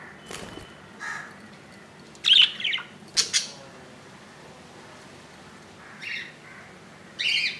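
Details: Budgerigar chick in the nest, hatched on 15 July 2018 and now on its second day: sharp clicks and short scratchy squawks, then two raspy calls near the end.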